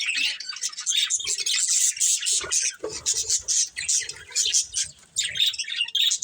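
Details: A group of colourful budgerigars chattering: overlapping high tweets and buzzy warbles run almost without pause, with a softer lull near the end and light low thuds.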